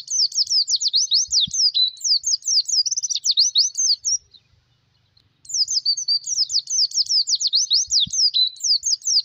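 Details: Oriental white-eye (Zosterops palpebrosus) song: rapid, high twittering of thin slurred notes, delivered in long runs with a brief pause midway; no other sounds.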